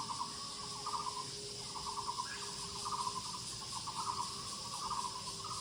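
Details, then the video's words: Muller's barbet in the woods giving regular bursts of vibrating, rattly notes about once per second, over a continuous high-pitched insect hum. "Sounds of Muller's Barbet /五色鳥 in the woods"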